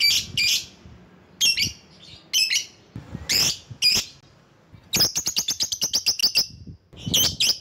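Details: Lovebird used as a lure bird to call rivals: harsh, shrill shrieks at irregular intervals, then a fast, even trill of a dozen sharp chirps, and one more harsh shriek.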